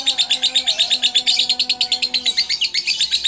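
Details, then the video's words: Caged lovebird doing long-duration ngekek, swaying its head and gnawing the bars: an unbroken stream of shrill, buzzy chirps near eight per second for over three seconds, a faint tonal hum below. "Love Bird Ngekek Gaya Oleng"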